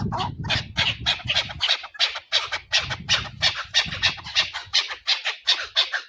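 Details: Chukar partridge call used in hunting, a fast rhythmic string of scratchy chuk notes about three per second, over low rumbling noise in the first part.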